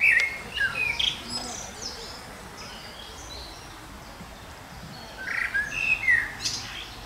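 Common blackbird sings two fluty, warbling phrases ending in higher twitters, separated by a few seconds of quiet, over a soft hiss of background noise.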